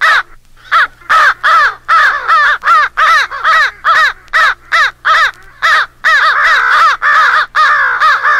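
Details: American crows rallying together to mob an owl, several birds in a compiled jumble: harsh, hoarse, excited overlapping caws, two or three a second, over a faint steady low hum.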